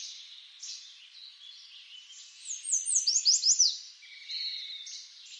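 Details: A Common Yellowthroat (Geothlypis trichas) sings a quick burst of bright, sweeping high notes over a soft background hiss.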